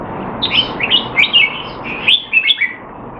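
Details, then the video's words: Red-whiskered bulbul kept in a cage in Singapore during a training session, singing a run of lively, slurred whistled notes that rise and fall, clustered in two phrases with a short pause between. "นกหัวจุก Jambul V2 LoneRanger training keep him sharp (he's not in form)"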